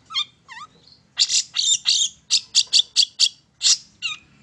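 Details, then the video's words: Song of a long-tailed shrike used to provoke birds into singing. Two short slurred whistles open, followed by a steady series of about eight loud, buzzy, high chirps and a final slurred note. "PANCINGAN TERBAIK!!! CENDET MAIN SATU TITIK"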